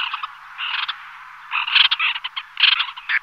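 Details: A few White-winged Terns flying together and calling: rough, scratchy 'kesh'-like notes tumbling in irregular bunches, about one burst per second, with louder overlapping calls in the second half.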